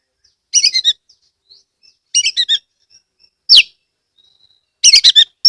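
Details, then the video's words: Oriental magpie-robin, a kept bird from Rejosari, Ambal, Kebumen, Central Java, singing loudly as a lure to set other magpie-robins singing: short bursts of sharp, chattering whistled notes about every one and a half seconds, with a steep falling whistle between. "pancingan kacer gacor"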